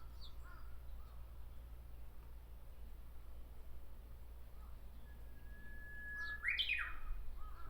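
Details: Japanese bush warbler perched in a tree, Miyakonojo city, Miyazaki, Japan. After a quiet stretch, one long plain whistle ends in a loud, abrupt, upward-leaping phrase; faint calls are scattered earlier.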